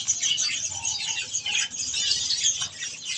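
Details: Budgerigars kept as pets chatter over softfood: an unbroken mass of high scratchy chirps and squeaky twitters from several birds at once.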